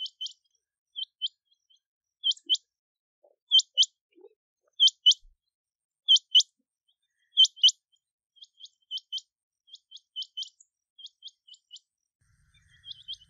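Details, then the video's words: Rain quail (Coturnix coromandelica) giving sharp, high, metallic doubled 'chrink-chrink' notes repeated about every second and a half, fading toward the end; this call is repeated constantly in mornings and evenings, and at night in the breeding season. "Rain quail (Coturnix coromandelica) sound - call and song"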